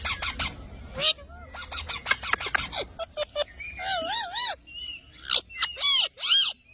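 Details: Green parrot mixing quick clicks and short squawks with wavering, warbled whistles that dip and rise, plus a few downward-sliding notes, over a faint low rumble of background noise.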